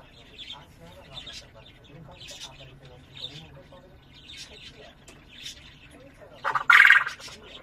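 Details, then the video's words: Spring-day song from one of two common quails kept as father and son. After low conversation and faint twittering of other birds, a sudden loud, harsh burst of song rings out close by near the end. "پدر و پسر بلدرچین آواز خوان روز بهاری"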